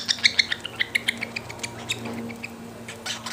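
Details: Young cockatiel, hungry, begging while being fed: a quick run of high, thin chirps that fade and slow, then soft scraping and rustling noises.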